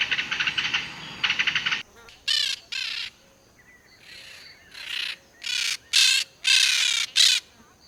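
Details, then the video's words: Wild birds in nature: quick high chirping at first, then loud harsh cawing calls repeated at uneven intervals with quiet gaps between, roughly two per second at their peak. "Canto de Pássaros Livres na Natureza"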